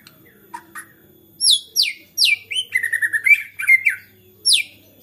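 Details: Fired-up white-rumped shama song, said to provoke rival shamas to sing; soft opening notes, then loud sweeping downward whistles, a fast pulsing trill and a final sharp downslur.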